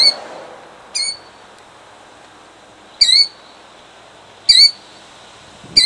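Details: A nesting killdeer in Jackson, New Jersey, in 2008 protests in defence of her eggs with sharp, piercing notes, each sliding slightly, given at uneven gaps of one to two seconds.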